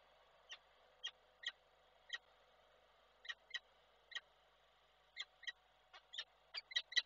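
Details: Male peregrine falcon calling to the female at Koszalin, Poland, on 12 December 2023; he flew off once she arrived. Short harmonic notes, singly and in pairs, repeat at uneven intervals, quickening toward the end over a steady low hum.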